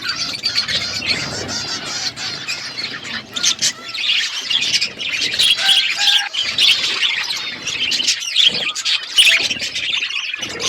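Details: Pet budgerigars chirping on a winter morning: continuous busy warbling and twittering from several birds, sharp clicks scattered through, with brief quieter gaps.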